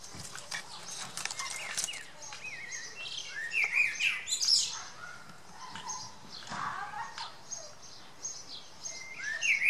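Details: Eurasian blackbird in spring near its nest with newly hatched young, built in a cherry laurel bush in a garden. Short whistled phrases and sharp chirps come in bursts between quieter gaps, over faint garden background.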